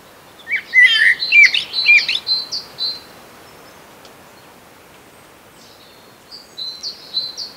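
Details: Common blackbird foraging on the ground for grubs on Sotra island west of Bergen, Norway, in early spring, switching to its barely audible quiet song: scratchy, jumbled warbling, a pause, then thin high squeaky phrases over faint hiss.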